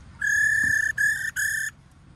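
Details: Female white-cheeked laughingthrush giving a 'ro' call, used to stimulate males to sing: three loud, steady, level whistled notes at one pitch, each slightly rolling, separated by short gaps, over faint background hum.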